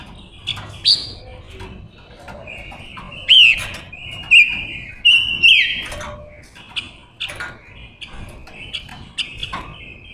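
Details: Luring song of a female decoy silver-eared mesia aimed at wild males: bright whistled notes rising and falling in short bursts, with sharp clicks and chips scattered between phrases.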